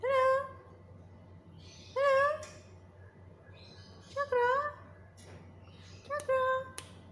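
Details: Black-capped lory talking, giving four clear, tonal, speech-like phrases spaced about two seconds apart, each with a wavering, slightly rising pitch. A faint low hum sits in the background.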